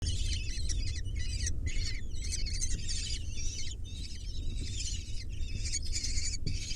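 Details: Six kestrel nestlings begging while being fed: a dense, continuous chorus of shrill, high chittering and screeching calls, overlapping and repeated with brief pauses, over a low background rumble.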